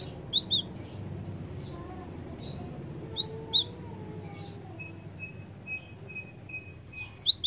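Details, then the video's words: Java sparrow giving bright, high chirps in quick clusters every second or two, with a thin steady whistle and faint low rumble behind. "PANCINGAN BUNYI BURUNG GELATIK"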